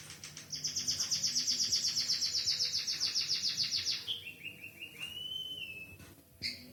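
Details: White-headed munia, an actively singing bird trained with a canary-style fill-in song, delivers a rapid, high, buzzy trill of evenly pulsed notes for about three and a half seconds, then shifts to lower, slurred whistled notes.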